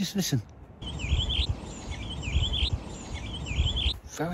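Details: Redwing (Turdus iliacus) sub-song in Greenwich Park, London, in the morning, one of several birds singing quiet warbling sub-songs in unison: three short, twittering high phrases about a second apart over low rumble, a person speaking at start and end.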